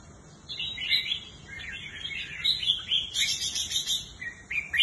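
A red-whiskered bulbul sings a rapid, run-on jumble of bright warbled and chattering notes, high and clear, with faint background hiss.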